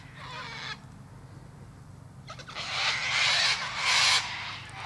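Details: Cockatoo screeching: a short harsh burst, a pause, then a long loud grating screech building to a peak, with a low rumble underneath.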